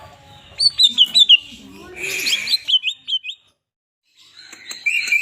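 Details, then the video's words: Greater green leafbird (cucak ijo), a kept bird known for mimicking other birds, chatty and in full song: a string of bright slurred downward whistles, a harsh rasping burst, more whistled notes, then a brief pause. "12 BURUNG CUCAK IJO 🐦🐦🐦 CEREWET DAN GACOR"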